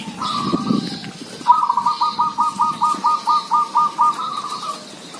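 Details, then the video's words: Village zebra doves calling in a lively chorus: a long run of quick, even, rattling coo notes, about a dozen beats over three seconds, after a shorter trilled phrase, with a faint higher bird note above. "Merbok kampung bunyi ramai"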